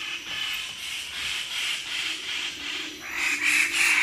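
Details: Close-up of a group of Wallace's standardwings (standardwing bird-of-paradise) at Labilabi giving animated calls from the junior perch: harsh, rasping calls overlapping at about three per second, with a few thin whistled notes rising near the end.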